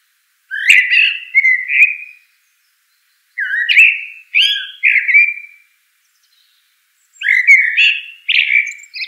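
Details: Singing Eurasian blackbird giving rich, mellow whistled phrases in pairs, with short scratchy high notes at phrase ends and pauses of over a second between groups. Quiet background.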